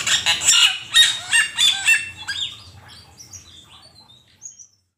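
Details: Asian pied starling singing, a master recording for training songbirds: a burst of loud repeated chattering and whistled notes, then fading softer high chirps and thin whistles trailing off into quiet.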